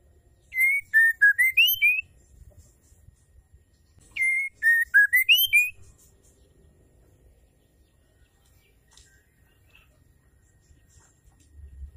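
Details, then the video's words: Calling female white-rumped shama, a sound meant to excite males into song: two bright bursts of about seven pure whistled notes, each lasting around a second and a half, separated by a pause, then near silence. "MURAI BETINA GACOR PENGUNDANG Emosi murai jantan"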